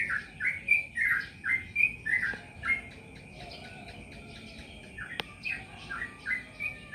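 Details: Yellow-vented bulbul (trucukan) singing bursts of short, bubbly, slurred chirps in quick runs, a pause midway, then further rapid notes; a faint steady high hiss in the background.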